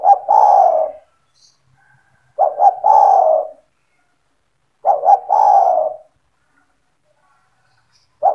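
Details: Spotted dove owned by the recordist, in 'gacor' form and calling to lure other doves: three husky phrases, each a quick pair of hoots merging into a drawn-out coo, about two and a half seconds apart, then another starting.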